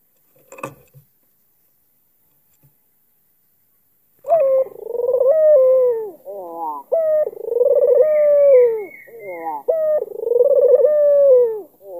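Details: Cooing to draw a rival's reply, an albino black-collared Barbary dove in Kalimantan starts after four quiet seconds, then gives three linked coos, each a short bright note leading into a long throbbing, falling phrase.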